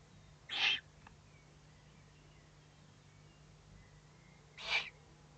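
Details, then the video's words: Owlets warning when threatened, 22 May 2015, 20:42; two loud, breathy, rasping bursts about four seconds apart, each under half a second, separated by near quiet with a low steady hum. "Owlets threatened and warning"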